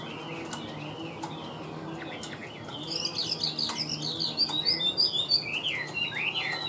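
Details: Caged Chinese hwamei starts with soft whistles, then bursts into rapid, loud, high chirped and slurred notes for the last few seconds.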